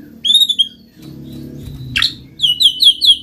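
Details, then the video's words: Caged white-rumped shama song meant to draw other shamas into singing: a short high whistled phrase, a pause with low room hum, a sharp downward sweep, then a fast run of repeated high chirps. "pancing MURAI BATU malas bunyi/bahan paling mudah direspon tanpa takut"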